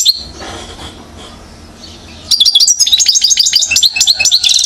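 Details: One-year-old European goldfinch from Mouzaia, Algeria, recorded in 2012: after two quiet seconds, a loud burst of rapid, high twittering begins, with bright chirps and short trills tumbling quickly one after another.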